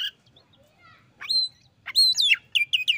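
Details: Oriental magpie-robin challenging a rival that was slow to sing and gets an immediate reply, with loud clear whistles, swooping slurred notes and quick repeated chirps in rich, varied phrases.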